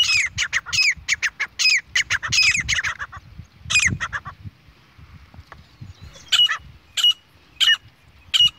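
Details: Female grey francolin of a pair calling in jungle: rapid bursts of loud, harsh, squawking notes for three seconds, a brief pause, then single sharp calls spaced about half a second apart over low background rumble.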